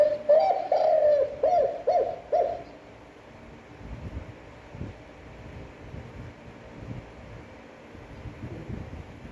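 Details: Spotted dove with a long, attractive cooing voice for stimulating decoy birds: a quick run of low mellow coos in the first seconds, followed by rustling and thumping background noise.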